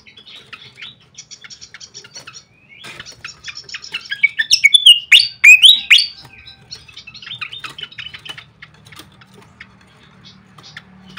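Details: Flycatcher lure call used for training and luring birds: rapid high chirps and twittering notes repeated about four times a second, swelling into a louder burst of tangled squeaky phrases midway before fading to scattered chirps, with a faint low hum beneath.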